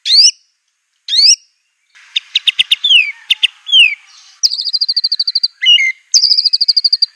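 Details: Master song of an Aceh white-rumped shama, used to train birds. Two loud upslurred whistles come first, then a mix of sharp ticks and falling slurs. A fast, even trill and rising whistled phrases follow.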